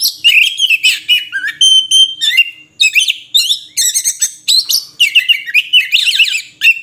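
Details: An Oriental magpie-robin (Copsychus saularis) sings a rich, fast medley of clear whistles, chirps and buzzy trills, varied and almost continuous, high-pitched throughout.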